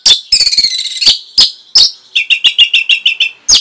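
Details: Orange-headed thrush in a masteran training recording for caged birds: a loud buzzy, rattling burst, a few sharp accents, then a fast even string of about nine clear chirped notes.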